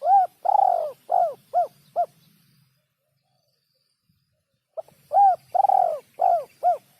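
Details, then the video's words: Spotted dove cooing as a tutor recording for training songbirds: a series of arched mellow coos, one longer and stronger, a two-second silence, then the phrase again. "masteran burung terkukur"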